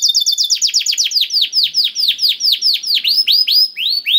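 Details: Canary song used to prompt a quiet canary to sing: a rapid, steady series of high, sharply falling whistled notes, roughly ten per second, shifting to slower, broader swooping syllables toward the end.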